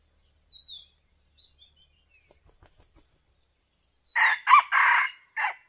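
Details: Red junglefowl crowing during decoy hunting: a loud, harsh, broadband crow of several bursts in the last second and a half, after thin descending whistles from another bird and a few soft clicks.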